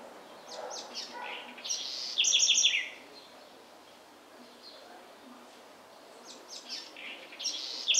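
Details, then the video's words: House wren in the backcountry of Bahia, Brazil, singing a quick, bright phrase of stacked high chips and a descending trill, preceded by softer twittering notes; another phrase begins near the end, with a quiet rural background. "Canto da Garrincha"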